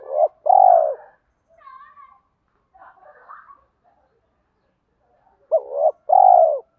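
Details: Spotted dove lure bird in the 'giọng thổ' style mixed with 'thúc đấu' phrases to draw wild doves in fast. Paired hooting coos open and close the passage, with quiet chirps from other birds in between.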